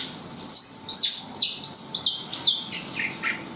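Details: Black-winged myna giving clear, high whistled notes that slur downward, repeated about twice a second and fading lower toward the end.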